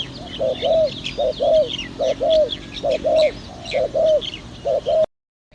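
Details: Spotted dove behind house plants, recorded for luring, giving paired low coos, a brief note then a longer burry one, repeated steadily about five times, with faint small-bird chirps above and a sudden cut at the end.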